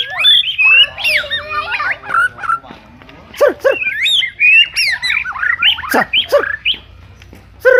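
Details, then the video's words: White-rumped shama singing a dense, varied song of quick whistled and chattering phrases, rising and falling notes that tumble rapidly one after another with hardly a pause, over a low steady hum. "MASTERAN BURUNG MURAI"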